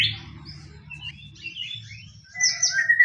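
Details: White-rumped shama provoking song in fighting style: sparse soft whistles and slurred notes, building to a louder high whistle and bright chirps at the end; low hum behind.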